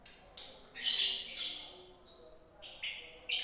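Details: Lovebird from Indonesia in konslet style song: sharp, high chirps and squeaky notes in short bursts with brief gaps, some rising and falling, over a quiet background.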